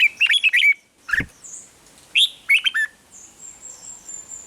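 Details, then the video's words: Red-whiskered bulbul 'rik' singing played to rouse caged birds. Quick warbled phrases come twice, with a sharp click between them, then a thin high whistle lingers over background hiss. "เสียงนกกรงหัวจุก ร้อง ริก เปิดให้นกฟัง ยั่วให้นกคึกจัด"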